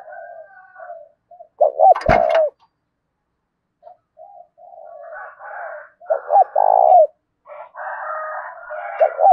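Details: Spotted dove decoy in 'thổ' voice, cooing to provoke wild doves: a sharp click, then short double notes and long low coos amid several softer overlapping dove calls.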